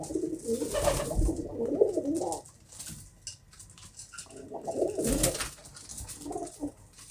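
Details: Pigeon giving low, throaty rolling coos in two bursts, at the start and again near the end, with sharp flapping or clattering noises and a quieter stretch between.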